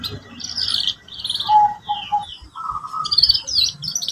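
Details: Canary singing for tutoring young canaries learning song: quick high chirped phrases alternate with pure whistled notes, a short repeated trill of three tones, then a lower sustained rolling trill and sharp high twitters.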